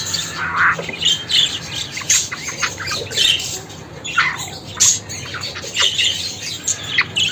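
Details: Budgerigar chatter: loud irregular bursts of harsh squawks mixed with short sharp chirps and rasping notes, the calls coming in quick uneven clusters with brief gaps between them.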